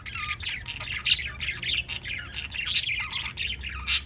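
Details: Pet lovebirds chirping: a dense, continuous stream of sharp, high squeaky chirps and short squawks overlapping one another, with a few louder shrill notes standing out near the end.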